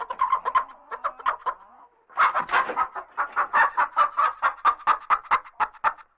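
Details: Chickens in a coop cluck excitedly in rapid, evenly spaced bursts, about two per second, briefly pausing before a louder flurry of squawking cackles resumes the steady clucking.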